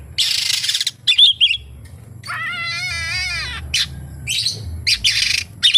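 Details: Oriental magpie-robin song with kapas tembak imitations: harsh, hissing bursts and a few chips, then a drawn-out, wavering, buzzy nasal note with strong overtones, followed by more hiss-like notes.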